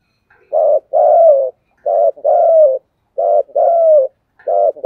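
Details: Spotted dove cooing without pause in the thúc gù manner: a pulsed short coo joined to a longer falling one, repeated four times at an even pace in quiet surroundings.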